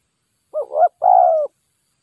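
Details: Spotted dove, a wild bird lured during decoy trapping, gives a low, hoarse coo: a short broken two-part note followed by a longer, steady, slightly falling coo, with clean silence around it.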